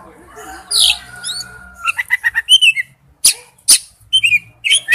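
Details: Calling male oriental magpie-robin addressing a female: varied whistled notes, a long thin descending whistle, then rapid staccato chips and sharp clicks followed by rising and falling whistles, with faint low background hum.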